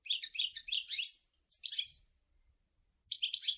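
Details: European goldfinch singing, a local song style called sour el gouzlane; bright twittering phrases of quick high notes with a few clear whistled slurs, in bursts separated by short pauses.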